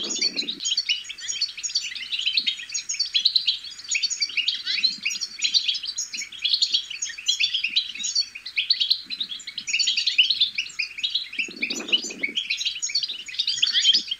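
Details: Goldfinch chicks babbling, a subsong played to stimulate goldfinches to sing: a continuous dense high twittering of quick chirps, trills and buzzy notes without pause, with soft low muffled thumps at the start and near the end.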